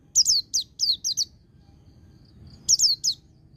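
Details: White-eye in ngecir style joined with ngalas, meant to spur white-eyes in training: fast clusters of shrill, sharply falling chirps, six in quick succession, a pause with faint peeps, then three more.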